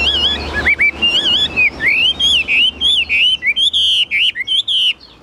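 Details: Tame caged Chinese hwamei, said to be shy when a person stands close, sings a loud, rich run of varied whistled phrases, sliding up and down in quick bursts, with a faint low hum beneath.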